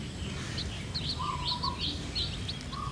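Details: Red junglefowl chicks of diluted bloodline follow a hen as she takes them to forage. Quick, high, curling cheeps sound in loose bursts over a faint buzzing insect and low rumble.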